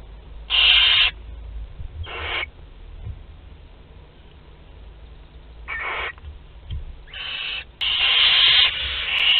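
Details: Barn owl chicks, 2 to 12 days old, at a group meal in a nest in Théding, France, 29 April 2021; harsh hissing screeches in bursts of about half a second, some longer and louder, with quiet gaps between.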